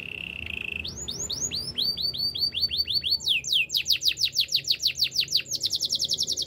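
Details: Canary song starting with a low buzzy trill, then looping upslurred whistles, then rapid falling notes that run into a dense, very high chattering trill.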